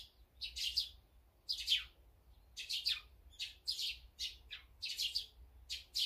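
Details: Birds feeding together, named as azure-winged magpies, sparrows, tits and brown-eared bulbuls, give loud downslurred chirps in small groups of two or three, with short pauses between.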